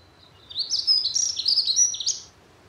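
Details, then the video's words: Dunnock (Prunella modularis) singing a brief, fast, high warbling jingle of squeaky notes that rise and fall for about one and a half seconds, with quiet background hiss. "Vögel und ihre Stimmen - Heckenbraunelle"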